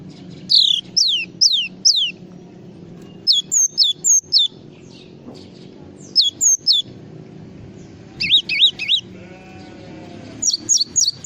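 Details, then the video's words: Java sparrow's full song, made of repeated clusters of high sliding chirps, some wavering up and down, recurring every couple of seconds above low continuous noise. "SUARA BURUNG GLATIK FULL ISIAN"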